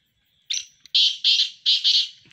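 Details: Sindhi black francolin calling in a voice competition: a thin whistled lead-in, then three loud harsh buzzy phrases of two pulses each, evenly spaced about a third of a second apart.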